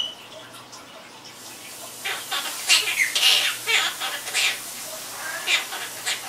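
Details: Household Quaker parrot, described as a chatterbox, utters a busy string of short scratchy clicks and squeaks after a quiet opening, about one every half second, uneven in timing, over a soft background hum.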